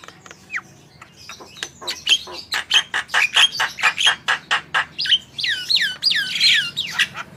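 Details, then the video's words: Javan myna (jalak kebo) singing to prompt other birds: a single rising whistle, then a long run of sharp rattling clicks, ending in repeated downward-slurred whistles and harsh squeals. "Jalak kebo gacor full masteran//cocok untuk pancingan burung anda"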